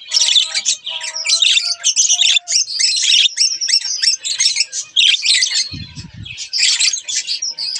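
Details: Budgerigar pair warbling nonstop, a rapid mix of raspy chirps, squeaks and short whistles, with a brief low thumping sound near the end.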